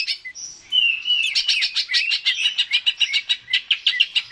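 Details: Greater green leafbird song used to encourage a kept bird: a high whistle opening into a long, fast, rhythmic series of bright chirping notes.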